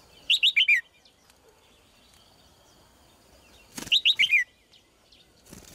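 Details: Female Red-whiskered bulbul singing: a quick phrase of four bright, rolling whistled notes, falling slightly at the end, given twice about three seconds apart. Sharp clicks and wing-flutter sounds surround the second phrase, with quiet background between.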